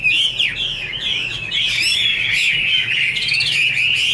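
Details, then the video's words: Female Chinese hwamei in captivity, a male heard behind her, delivering a dense, continuous song of rapid, buzzy and whistled notes that overlap with almost no pause. "Chim hoạ mi: Mái te đỉnh cao của năm _ có chim trống làm nền"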